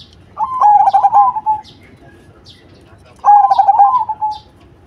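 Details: Zebra dove of the cemani variety giving two separate trilled coo phrases, each about a second long and trailing off lower, with a quiet gap between them and faint high bird chirps around.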